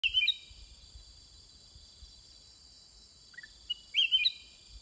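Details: Caged Sooty-headed Bulbul singing back and forth with wild birds: two loud, short, liquid whistled phrases, one at the start and one near the end, with faint soft notes between them.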